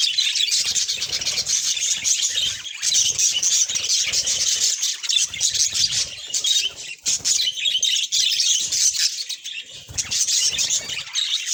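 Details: Budgerigar chatter, a steady stream of bright twittering and rasping chirps packed closely together, pitched high, with short lulls near the middle and quiet low knocks in the background.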